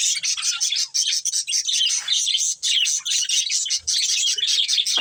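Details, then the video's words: Budgerigars of a breeding pair chirp in fast, scratchy bursts of twittering and squeaky notes, almost continuous with short pauses roughly every second, a faint thump and a click toward the end. "Cute Budgies Chirping Sounds"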